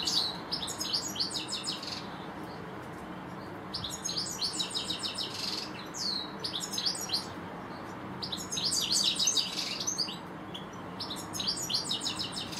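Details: Two European goldfinches in a garden deliver bursts of rapid, tinkling, high twittering in five separate spells, each lasting one to two seconds, with faint steady background hiss between phrases.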